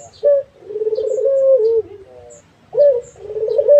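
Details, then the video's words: A Barbary dove in full voice gives a crisp short note and a long, burring, even coo that dips at the end, then starts the next phrase, while soft high chirps sound in the background. "SUARA BURUNG‼️ PUTER GACOR"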